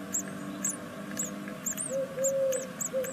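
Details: Great tit nestlings from a second brood on their sixth day, at a nest in Veszprém, Hungary, give thin, high arched chirps about twice a second. Low, steady hum-like tones sound underneath.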